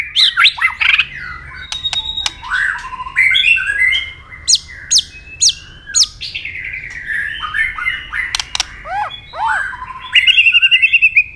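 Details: Captive White-rumped shama singing a fighting song with tail-flick clicks, to rouse aggression: a long varied run of loud whistled phrases, looping notes and sharp clicks, ending in a fast trill.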